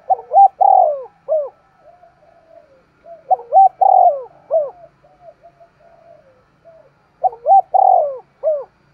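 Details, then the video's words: Spotted dove cooing hard in 'thúc gù' style: three phrases about three seconds apart, each with rapid short notes, a long falling coo and a brief rising tail note, with faint soft murmurs filling the gaps. "Tiếng chim cu gáy thúc gù cực sung"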